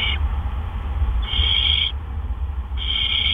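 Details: Barn owls at their nest around 8 PM in April 2013 as gophers are delivered; two loud, strained hissing screeches roughly a second apart, with a low continuous hum behind.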